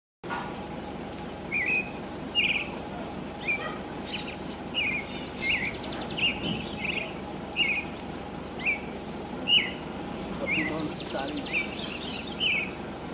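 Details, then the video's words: Creamy-bellied thrush singing inside a city, amid truck noise, passing people and barking dogs: short, slurred whistled phrases repeated roughly every second over a steady hum of urban background noise. "Sabiá-poca vocalizando"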